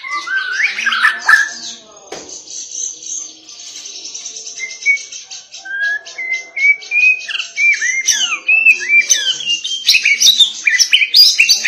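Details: White-rumped shama singing an insistent, provoking song for other shamas: loud mixed notes, then a series of clear rising whistles spaced about a second apart, building into fast, varied high phrases.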